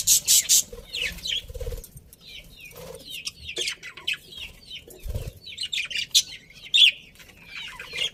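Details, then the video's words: A colony of happy budgerigars gives rapid, thin chirps and squeaky warbles between loud bursts of wing flapping, with a soft background hum. "Happy Budgies Chirping Sounds"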